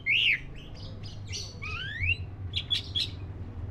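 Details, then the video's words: Oriental magpie-robin, black-breasted form, singing: a loud arched whistle opens, followed by thin rising slurred whistles and a cluster of quick, sharp high notes, with a constant low background hum. "SUARA BURUNG KACER (DADA HITAM)"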